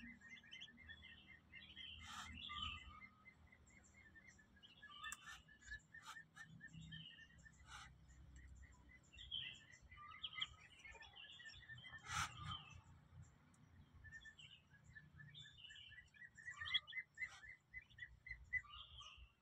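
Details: Muscovy ducklings hatching from incubated eggs peep in high, rapid, repeated chirps, with occasional sharper notes and clicks.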